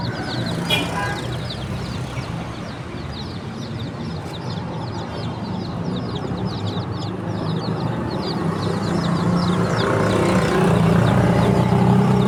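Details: Chorus of baby chickens giving rapid high peeps, many chicks calling at once, slightly muffled beneath a low, steadily growing rumble.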